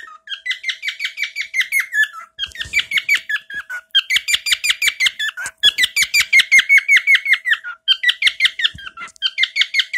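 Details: Male pet bird repeating one of his favourite chirps, which he sings often: rapid, bright, downward-slurred chirps, about three per second, in bursts with brief pauses between them.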